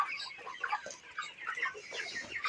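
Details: Twenty-nine-day-old broilers on a poultry farm fill the air with short clucking notes and scattered rising peeps, a crowded, overlapping chatter without a break.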